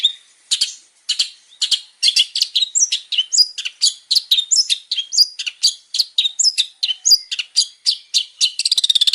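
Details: Long-tailed shrike, a male, in varied full song: dense bursts of scratchy chirps, clipped whistles and slurred notes follow one another rapidly, ending in a fast stuttering rattle.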